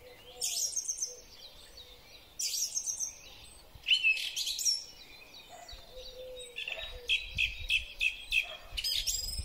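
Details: Song thrush singing in spring, recorded on a Huawei P30 Pro phone: bright, varied whistled and chattering phrases with short pauses between them, over a steady low cooing in the background.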